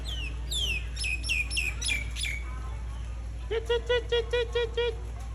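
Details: Common hill myna (Gracula religiosa) contact call, apparently calling its partner to come and stay nearby: a run of high, sharply falling whistles, then six quick nasal, evenly spaced notes over a low steady hum.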